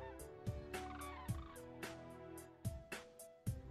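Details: Common cranes, a possible pair about 500 metres away at Eldernell Wash in February 2015, give rolling, trumpeting calls with a gobbling, throaty quality, partly masked by repeated low thumps of wind buffeting.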